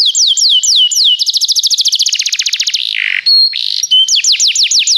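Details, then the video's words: Singing Belgian canary, a training song: slurred looping whistles lead into a fast rattling trill, a buzzy low churr, steady pure tones, then repeated down-sweeping whistles. "o melhor som canário !! treinamento canário belga cantando"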